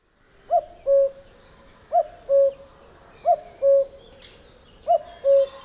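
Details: Male common cuckoo's spring song: a clear two-note 'cu-coo', the first note higher, repeated four times about every one and a half seconds against a quiet background.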